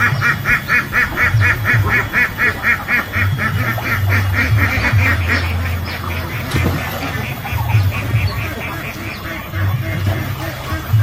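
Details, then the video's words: Ducks on a duck-farm pond quack in a rapid, overlapping chorus, with a run of short nasal calls in the first seconds, over a steady low rumble of machinery. "duck quack duck sound"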